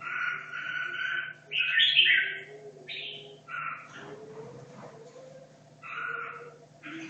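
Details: Red-whiskered bulbul from Hanoi, caged two and a half years, practising for a singing contest: clear short whistled bursts in pairs near the start, a quieter noisy middle, then two more bursts later, over low hum.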